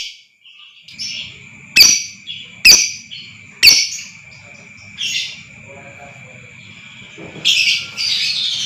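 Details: Lovebird lure recording: soft chatter, then three loud sharp screechy chirps about a second apart, quieter twittering, and a rising rough buzzy trill at the end, over a steady high tone.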